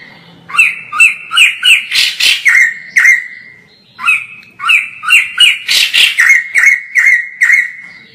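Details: Two loud bursts of chattering song from a white-crested laughingthrush recorded from far off: rapid repeated throaty notes with harsh noisy peaks, separated by a short pause.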